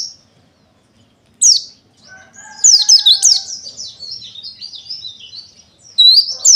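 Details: Pleci dakun wilis white-eye singing: rapid high, thin chirps and squeaky twittering phrases that rise and fall, starting after a short pause, with a faint steady lower whistle-like tone beneath part of the phrase.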